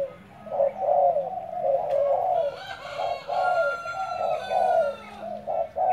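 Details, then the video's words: Decoy spotted dove being trained: low, soft hooting coos repeated steadily in short rounded phrases about every second, over a constant background hiss, with a faint higher thin whistle running through the middle. "Dợt cu gáy mồi"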